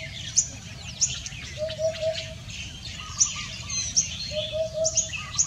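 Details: On a dense-fog morning, Sunday 31 January 2021, a common hoopoe gives two mellow triple hoots, oop-oop-oop, about three seconds apart, while sharp high chirps and another bird's short rapid notes sound around it.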